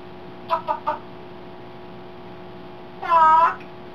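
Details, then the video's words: African grey parrot raised around chickens, imitating them: three quick clucking notes, then after a pause a drawn-out, harmonic-rich squawk lasting about half a second, over a steady electrical hum. "African grey (Spencer) thinks he's a chicken"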